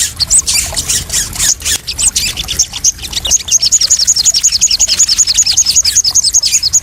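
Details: Crested jay calling, played as therapy to provoke and settle newly trapped captive crested jays: scattered high chatter, then a fast, even train of sharp ticking notes, roughly three or four per second.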